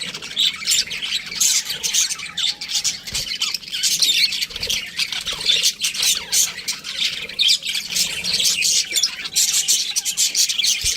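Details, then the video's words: Several budgerigars chattering nonstop: scratchy, buzzy warbles and high chirps overlapping in a dense chorus, with faint clicks and a low hum beneath. "Cute Budgies Chirping Sounds"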